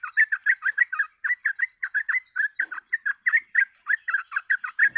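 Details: Continuous gacor ropel singing from a sooty-headed bulbul, recorded as a lure to catch birds: dense, rapid chattered notes running almost without gaps, with a faint low thump near the end.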